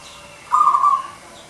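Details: A local zebra dove, played as a lure to prompt silent doves to call, gives a single soft, mellow coo note, held for about half a second and fading slightly at the end, over quiet background hiss.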